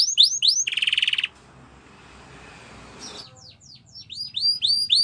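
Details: Canary training song: quick rising whistled notes and a short buzzy roll, a pause filled with faint hiss, then more upslurred whistles repeated rapidly toward the end.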